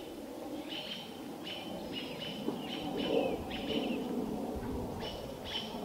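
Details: American robins mobbing an adult barred owl near Vancouver while its owlet watches: sharp, short high calls repeated in quick, uneven bursts, partly masked by a steady low rumble of background noise.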